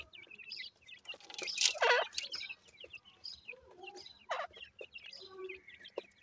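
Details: Grey francolin chicks call with rapid high chirps, about four a second, interrupted by a loud rustling burst and a few harsher lower notes.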